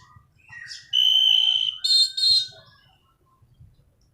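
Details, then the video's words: Orange-banded thrush giving a bright rolling song meant as a lure and tutor: a short rising slur, then a long steady high whistle, followed by two brief ringing notes and near silence. "Anis Cendana Kicauan Gacor Ngerol"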